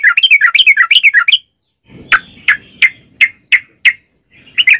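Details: Song of a yellow-vented bulbul as a lure for other bulbuls: a quick chattering phrase of warbled notes, a pause, then six clear separate chirps spaced evenly, and a final short burst.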